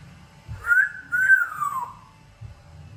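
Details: A talking pet African grey parrot, female, indoors, gives a soft slurred whistle that rises, wavers, then glides downward, amid faint low thumps and room noise.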